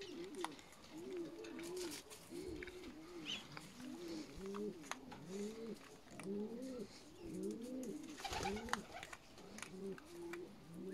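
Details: Juvenile peahens, young female Indian peafowl, keep up a steady string of low, curved, doubled-sounding notes, rising and falling, repeated about every second over mild background noise.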